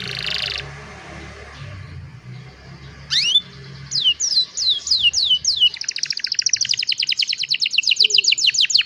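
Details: Young canary recorded on a cellphone singing to train others: after a quiet start, swooping rising whistles lead into descending slurred notes and then a long, accelerating, rhythmic rolling trill.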